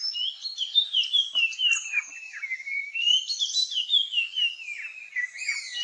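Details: A puff-throated babbler in the Nilgiris, India, sings during a dancing mating display: a continuous, high, sweet warble of quick whistled notes that slide up and down without pause. No other sounds intrude.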